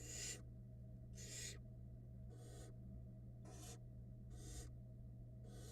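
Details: Barn owl nestlings fed by their mother in a Florida nest box, giving six breathy screeching hisses roughly a second apart, loudest at first and then softer, over a steady low hum.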